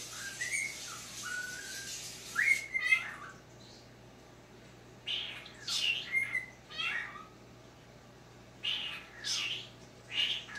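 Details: Talking pet cockatiel, indoors in low light, reacting to footage of himself; short whistled notes near mid pitch alternate with buzzy, harsher chirps in bursts separated by quiet pauses, over a steady low hum.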